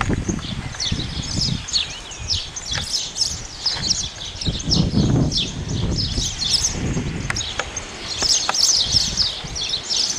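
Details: Male house sparrow giving a steady stream of bright, overlapping chirps, with dull rustling and low thumps underneath, strongest around the middle.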